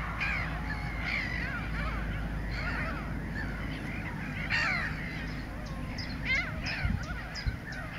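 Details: Adult Mediterranean gulls at Montreuil-sur-Loir, Maine-et-Loire, France, 31 March 2013, including a ringed bird: a busy chorus of nasal, rising-and-falling calls overlapping constantly, over a steady low rumble of wind or distant noise.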